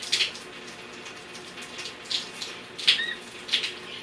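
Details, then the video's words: An Amazon parrot kept indoors gives four brief, high squeaky bursts about a second apart and one short clear whistled note near the end, while its owner tells it no and coaxes it to say hello. "Amaxon parrot says no and makes whistle sound"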